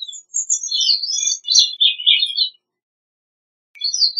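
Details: Gray-cheeked thrush singing a jumbled run of thin, high notes that slide downward over about two seconds, ending lower and buzzier, followed by a pause and the start of another high phrase.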